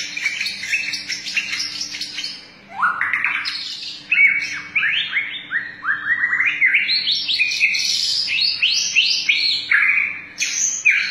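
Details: Long-tailed white-rumped shama singing while bowing: rich, varied whistled phrases, rapid upward and downward sweeps, fast trills and repeated rising notes, nearly continuous with one short pause.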